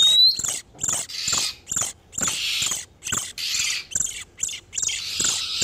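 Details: Lure recording of breeding-condition oriental magpie-robins, male and female, used to attract wild birds: harsh scratchy bursts repeated roughly every half second to second, opening with a short rising whistle.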